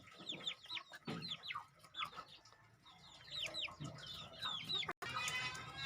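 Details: Crossbred decoy red junglefowl, young birds about two months old: a busy flurry of thin, high, downward-sliding cheeps from several birds overlapping, with a short break near the end followed by a buzzy rasp.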